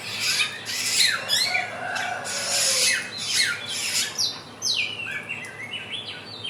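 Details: Helmeted friarbird, a bird native to West and East Nusa Tenggara, used as a lure for young birds learning sounds; loud, varied song of harsh rasping notes and descending slurred whistles in irregular phrases.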